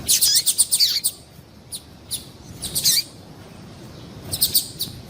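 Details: Female double-collared seedeater chirping to arouse males: an opening flurry of rapid high notes with descending slurs, a few spaced single chirps, a tight cluster near three seconds and a closing group of three or four notes, faint hiss beneath.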